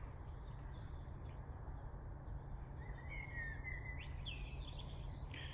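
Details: Male common blackbird singing in the morning among silver birches beside a church in Britain, a mellow warbled phrase rising to a high squeaky twitter, half-buried under a steady low rumble; a woodpecker drums behind.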